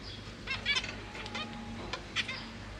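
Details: Caged zebra finches, with parents busy feeding three juvenile and three newborn young: a brief burst of nasal, stacked chirps clustered in quick succession, with a low hum underneath, captured on a GoPro Hero 8.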